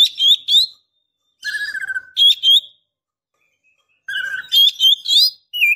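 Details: Female white-rumped shama calling to a male, in breeding condition: bursts of loud, clean whistled phrases with a low trilled note near the middle and rapid repeated chirps, separated by silent pauses.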